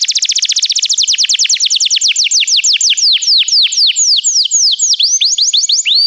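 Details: Canary singing, a recording meant to prompt another canary to sing; a rapid run of downslurred whistles slows into spaced, swooping notes, then quickens again into repeated rising phrases, loud and clean with no other sounds.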